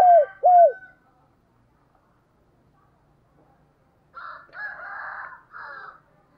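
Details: Spotted dove used as a lure bird calling: two loud arched coos near 700 at the start, then a pause and a rougher, blurred burst of cooing toward the end.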